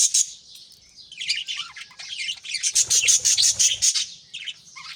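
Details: Morning in a budgerigar aviary where chicks in nest pots are fed; a flock's continuous high twittering builds into a rapid run of pulsed chirps, about three per second.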